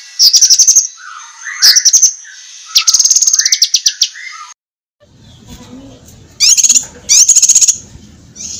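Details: Lesser green leafbird song used to train competition birds: high rapid note bursts mixed with lower warbles, a brief silent break, then two more high trills over low background rumble.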